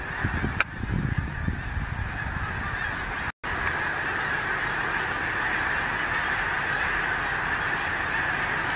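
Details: Snow Geese wintering in Delaware, taking off together and flying around Gordon's Pond at the end of December. A loud, seamless clamour of many honking birds continues throughout, with wind rumble early on and a brief dropout midway.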